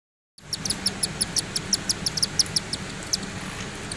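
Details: Three cockatiel chicks beg with rapid, high, scratchy chirps repeated about three times a second while their cinnamon whiteface mother feeds them.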